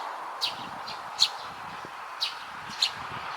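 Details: Drowsy, heavy-eyelidded Eurasian tree sparrow fledgling, recorded 9 June 2022, giving four short high chirps at irregular intervals over a steady broad background hiss.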